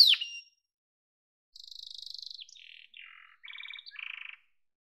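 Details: Sharp high note from a yellow domestic canary, then a pause of about a second. Separate buzzy trilled phrases follow, each a little lower than the one before.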